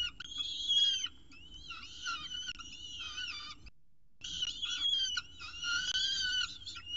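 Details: Peregrine falcons at the nest in Orange during the first feeding of the day, 6:36 am, 21 October 2018. Harmonic whistled calls rise and bend in bursts, with a short silent break midway and a faint low rumble throughout.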